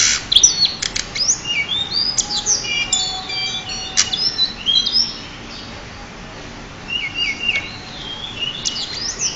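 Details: Champion pied bushchat used as a master tutor: sharp, scattered twitters and high whistled slurs, the singing busiest at the start, thinning out later, then resuming with short whistled phrases.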